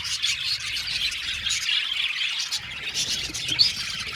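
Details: Aviary budgerigar colony of some 70 pairs giving a busy, overlapping twitter of high chirps that swells and dips slightly over a few seconds.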